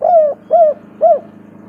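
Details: Spotted dove lure call, used to prompt reluctant doves to call: three clear, mellow coos, each gently falling, spaced about half a second apart, over a faint low hum.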